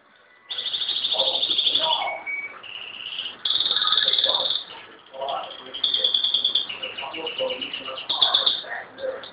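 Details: Pet canary singing indoors after its owner asks it to sing again: long, high, buzzy rolling trills broken by short whistled phrases, with the owner's voice talking softly underneath.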